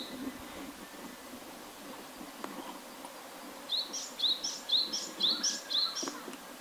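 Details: Japanese tit singing after a quiet start: about six crisp two-note phrases, a high thin note and a lower rising whistle, repeated roughly twice per second, with faint low background noise.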